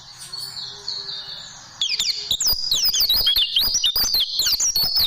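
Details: Oriental white-eye tutoring song meant for caged birds; after a quiet start, a lively burst of high, rapid chirps and slurred whistles, about three or four notes a second.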